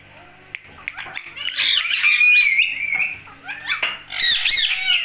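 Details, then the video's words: Indian ringneck parakeet, a talking pet bird, producing a stream of harsh squawks and warbling, speech-like phrases, with a drawn-out screechy note in the middle and indoor room sound. "Talking Talking Talking | Indian Ringneck"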